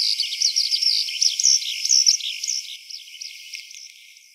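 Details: Eurasian skylark singing as it descends from high in the sky onto a farm field, pouring out a fast, high, warbling stream of chirps and trills that fades away over four seconds.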